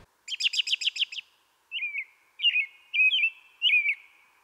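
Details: American Robin, a backyard bird that often sings very early, sometimes before light: a quick run of about seven harsh, chattering notes, then four clear, slurred whistled phrases with short pauses between them.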